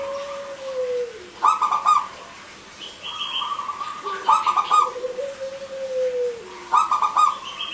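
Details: Local zebra dove singing as a lure for male and female doves that have gone quiet: repeated rapid rolling coos alternate with sustained, slightly falling low notes, with higher whistled notes from another bird between phrases.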